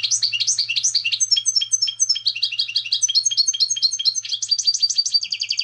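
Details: Continuous European goldfinch song, a fast jumble of bright chirps and slurred notes that flow into quick repeated trills toward the end, with a faint low hum underneath.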